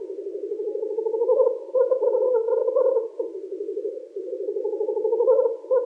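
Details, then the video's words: Black grouse lekking at dawn in spring: a low, continuous, dove-like bubbling chorus that swells and fades in waves every few seconds. "Токование тетеревов."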